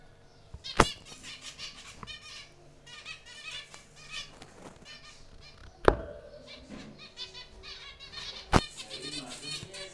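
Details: A flock of zebra finches in a breeding aviary keeps up a busy chatter of short, nasal, toy-trumpet beeps, with a few sharp knocks or wing-flaps and a low steady hum.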